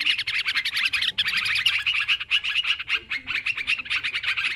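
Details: Busy chatter of yellow-vented bulbuls, recorded as a lure for catching birds: rapid jumbled bubbling notes run almost without a break, sounding like several birds calling together.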